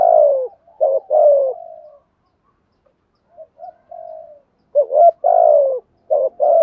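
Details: Caged decoy spotted dove cooing methodically to provoke wild doves into cooing. Low, hoarse coos come in bursts, with loud phrases at the start and near five seconds, each a short rising note then a drawn-out falling coo, and softer coos between.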